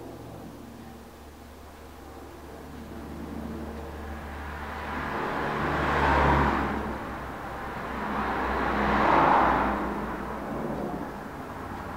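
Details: Two cars pass by in turn over a steady low engine hum, with no animal voices heard.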